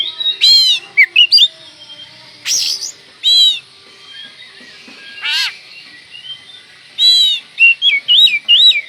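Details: Oriental magpie-robin singing as a lure to provoke: loud harsh, raspy calls alternating with quick runs of looping whistled notes, repeated over several phrases.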